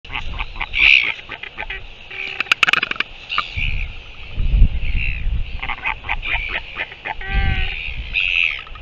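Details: Northern royal albatross recorded on 15 January 2023, with honking notes and sharp clattering bursts among scattered clicks, over low rumbling background noise.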